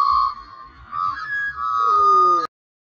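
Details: One of a pair of friendly Australian magpies (grey-backed female and white-backed male) giving clear, fluted whistles that hold a steady pitch, then wobble and slide downward over about two and a half seconds before stopping abruptly.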